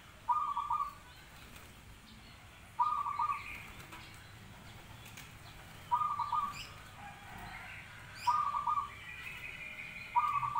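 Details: Zebra dove singing a staccato, rattling coo phrase, repeated five times at roughly two-and-a-half-second intervals, each burst short and even in pitch, with faint other bird notes and steady low background noise.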